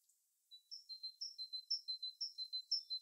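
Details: Bird singing in winter: a clean, steady series of high paired notes, a sharp upper whistle followed by a lower thin tone, repeated about twice a second in an even rhythm with no other sounds.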